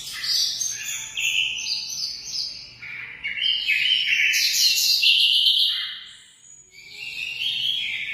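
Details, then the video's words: Lively high-pitched munia (emprit) song of rapid chirps and squeaky notes, loudest in the middle, then a short lull before the twittering resumes. "suara burung emprit"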